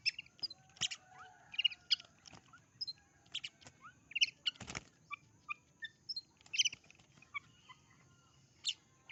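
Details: Oriental magpie-robin singing a lively, varied phrase of quick whistled notes, sharp chips and harsh clicks, delivered in rapid irregular bursts with one loud scratchy rasp near the middle; soft low hum behind.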